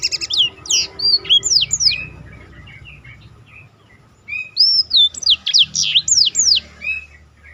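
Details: Roll-style black-throated canary song for training contest birds: a burst of quick high slurred whistles, a quieter stretch of several seconds, then another run of rapid looping notes.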